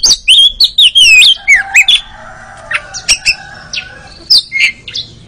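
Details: Loud magpie-robin training song opening with a series of rich looping whistles, then scattered sharp chirps and squeaks. Softer whistled notes from other birds sit underneath.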